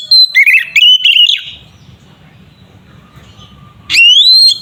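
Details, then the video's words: Aggressive 'ngeplong' song of a kacer (Oriental magpie-robin), used to provoke rivals: a burst of rapid whistled and slurred notes lasting over a second, then near silence with a faint steady tone, then a strong rising whistle begins. "Terapi suara burung Kacer gacor sangat ampuh untuk pancingan Kacer agar emosi"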